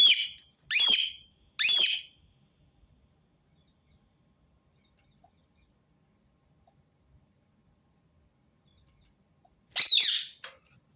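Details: Rose-ringed parakeet giving a short series of three harsh, screeching calls in quick succession, then a pause of several seconds before another shrill, rasping burst near the end; quiet background.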